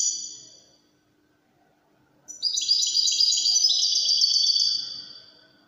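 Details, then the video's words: European goldfinch in the Wydani Moroccan style: after a pause, a sustained burst of dense high twittering trills, stepping downward and fading out. "الحسون الويداني الملك الذي يستحق استماع وتمتع في ادائه في التغاريد الويدانية المغربية"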